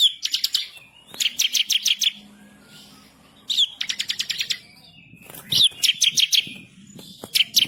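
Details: Bar-winged prinia singing energetically in a rolling, insistent style with sharp shots. Short bursts of rapid, high chattering notes come in several runs separated by brief pauses, with a faint low hum underneath.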